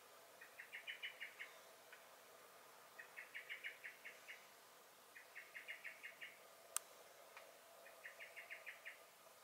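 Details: Common blackbird (Turdus merula) in a garden on 23 May 2021, giving sharp chattering alarm calls: four rapid bursts of clipped, evenly spaced notes roughly every two seconds, with a single sharp click near the end over a quiet background.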